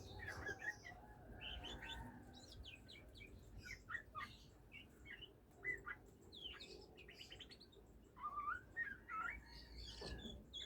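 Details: A kept oriental magpie-robin, just starting to sing in the breeding season, delivers scattered sharp chirps, then bright whistled phrases with wavering, rising notes near the end, over a faint hum.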